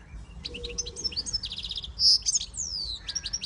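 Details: Short burst of song from a siskin x goldfinch hybrid: quick high chirps, a buzzy trill, one loud shrill note and a long falling whistle.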